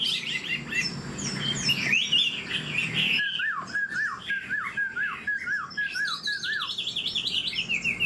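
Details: Chinese hwamei, old and wild-caught, kept caged and known for a fast delivery: a dense warble gives way to a series of repeated downslurred whistles, then a quick run of higher zigzag notes.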